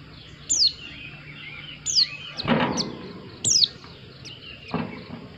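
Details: White-eye song: three sharp, high, down-slurred whistled notes about a second and a half apart, each with a short trailing twitter, against a quiet background with one soft rustling thump.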